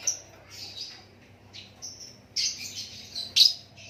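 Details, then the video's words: Lakbet White-rumped shama singing naturally: clear high whistles and drawn-out notes separated by pauses, ending in a louder burst of rich, chattering phrases with one sharp accent. "Lakbet super kicauan natural"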